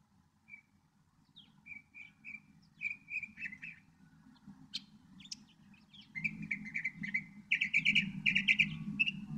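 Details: Northern mockingbird singing: short whistled notes repeated in series, then phrases of buzzy, chattering notes each given several times over, growing louder and denser toward the end, with a low steady hum underneath.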